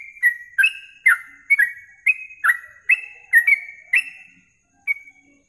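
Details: Yellow-vented bulbul song from a masteran training recording for songbird contests, suited to rapid-song practice morning and night: bright whistled two-part notes, each dropping in pitch, delivered in a quick uneven series about twice a second, then a short pause.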